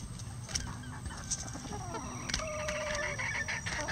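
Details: A bantam rooster crows in a chicken run where bantams feed on hanging vegetables. A long, steady, harmonic crow fills the second half, preceded by short clucks and scratching noises.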